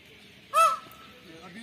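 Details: A peacock at Nona Darbar near Tarnol, Islamabad, where visitors feed peafowl, gives one loud, nasal, wailing note, brief and slightly arched, with people talking quietly nearby.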